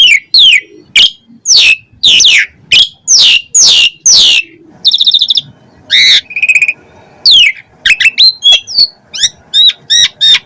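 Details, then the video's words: Asian pied starling singing a string of loud downslurred whistles about twice a second, then a buzzy trill, nasal squeaks and quick upslurred chips. "Jalak Suren Gacor Full Isian"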